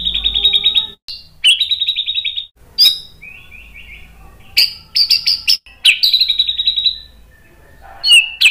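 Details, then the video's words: White-rumped shama song used to provoke other shamas into singing, likely a caged bird: rapid trilled rattles, sharp whistled notes and buzzy bursts in quick varied phrases, with short pauses and a faint low hum behind. "MASTERAN MURAI BATU memancing EMOSI jadi NYAUT GACOR"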